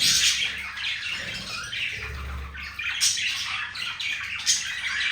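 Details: Male green budgie trying to win over a female, producing harsh squawky chatter and buzzy warbled notes, with louder bursts near the three and four-and-a-half second marks.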